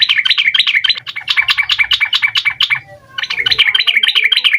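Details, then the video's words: Sooty-headed bulbul singing a fast, full 'ropel' song intended to draw answers from young birds: continuous quick chirped notes at roughly three per second, a brief softer dip, then the rapid chirping resumes. "Suara Trucukan Gacor Ampuh Buat Pancingan Burung Trucuk Muda Agar Nyaut Cepat Bunyi Ropel Full Isian"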